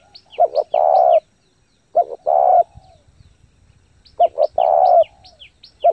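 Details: Spotted dove cooing fast, used to stimulate other doves: two quick low notes then a longer rolling coo, repeated about every two seconds, with faint high chirps of small birds.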